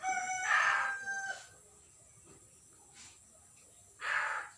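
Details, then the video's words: Recently captured common hill myna that has not yet learned to talk, 6 December 2022: a loud, nasal, harmonic-rich squawk, a short trailing note, a long pause, then a second harsh squawk. "burung beo baru di tangkap belum bicara"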